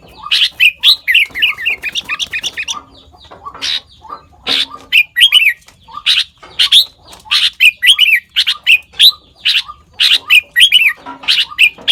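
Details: Sooty-headed bulbul copying the voices of other bird species, delivering a long loud series of sharp chirps and bright downslurred notes in quick bursts, with short pauses between groups.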